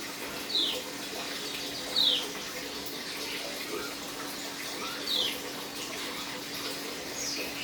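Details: Third-day dew conditioning of a caged Dakun white-eye, still aggressive but beginning 'ngeriwik' chirps: four sharp, high, falling chirps at irregular gaps of one to three seconds over a steady water-like rushing sound.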